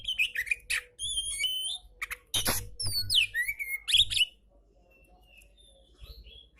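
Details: Oriental magpie-robin singing, meant as a tutor recording for lazy magpie-robins. Clear whistled notes and slurred phrases mix with several harsh, noisy bursts, then the last two seconds are nearly quiet apart from faint distant whistles.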